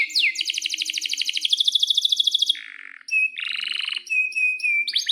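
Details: A canary in rolling song, used as a lure and tutor for other canaries. A loud rapid trill of sharp repeated notes drops into a low buzz, followed by a dry rattle and clear whistled notes.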